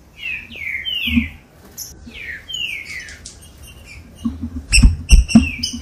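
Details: ['Captive-bird stimulation song of the green-winged saltator: several loud descending whistled slurs in quick succession, then quieter notes, ending in a burst of sharp clicks and knocks.']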